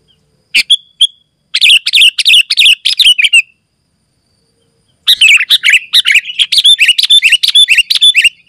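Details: Sooty-headed bulbul singing nonstop, used as a lure to call wild bulbuls and as a tutor for captive birds; a lone note, then two dense bursts of quick bubbly chirped notes separated by a pause of about one and a half seconds.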